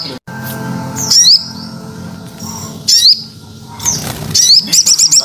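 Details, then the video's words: A Crested jay (sogon) lure call: sharp, rising whistled chirps in short bursts, ending in a quick run of repeated high notes over a low background hum. "Suara Pikat Burung Sogon"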